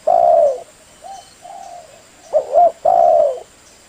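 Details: Male spotted dove cooing to attract females: a long mellow coo, two short softer notes, then a quick double coo and another drawn-out coo, all low and hollow.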